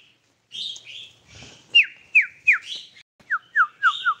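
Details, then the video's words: Tame sooty-headed bulbul: a few soft warbled notes, then a series of clear whistled notes, each sliding steeply downward, repeated about every third of a second in two short runs. "burung Kutilang jinak"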